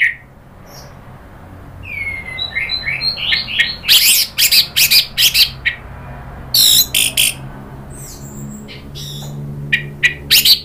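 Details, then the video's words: Orange-headed thrush provoked into agitated calling by a lure recording: a few rising whistles, then dense harsh scratchy bursts repeated rapidly, with sharp high chips later. "bikin ANIS MERAH EMOSI NRATAK lanjut NGEPLONG"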